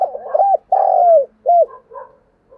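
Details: Decoy spotted dove luring wild doves: a single phrase of three low cooing notes, short, long and drooping, then short again, with soft trailing murmurs and a faint steady low hum underneath.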